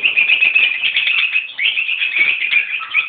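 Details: A mixed colony of peach-faced and Fischer's lovebirds, adults and young together, keeps up a constant shrill, twittering chatter of high squeaky chirps, many birds calling over one another without pause.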